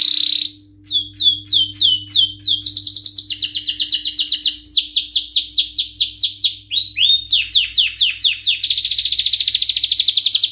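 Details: Continuous excited song of a male canary: a buzzy note, then successive trills of repeated high syllables at different pitches and speeds, closing with a rapid rattling buzz, faint hum behind.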